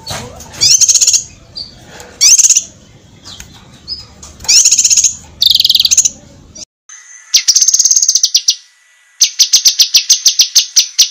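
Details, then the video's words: Cucak kinoi sharp master song used to train competition birds: loud, high, rapid trilled bursts, then a sustained piercing trill and a fast string of evenly spaced staccato notes, over a low background hum. "suara masteran cucak kinoi, masteran tajam untuk burung lomba."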